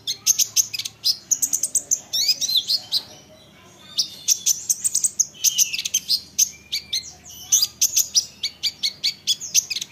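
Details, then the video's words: Olive-backed sunbird song meant to make other sunbirds respond: energetic bursts of high, sharp chips and buzzy twittering phrases, each lasting one to two seconds, separated by short pauses. "Isian Kolibri Ninja, Dengar ini konin lain pasti nyahut gacor doooorrrr"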